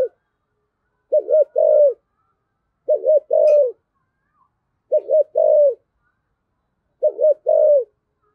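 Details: Spotted dove giving its 'giọng thổ' style coo: four low phrases about every two seconds, each a quick double-pulsed note, then a longer steady coo that falls at the end. No other sounds.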